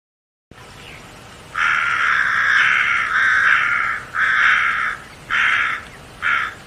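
A crow gives harsh, raspy caws: one long, drawn-out grating call, then three shorter caws in quick succession over a faint background hiss.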